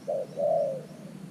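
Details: A single cooing phrase from a decoy spotted dove luring wild doves to an earthen trap: a short low note, a brief pause, then a longer smooth coo that slides slightly downward.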